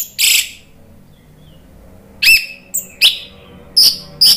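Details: Orange-headed thrush, an Indonesian songbird, in loud song: widely spaced sharp high notes and short whistled slurs, with quiet gaps between them.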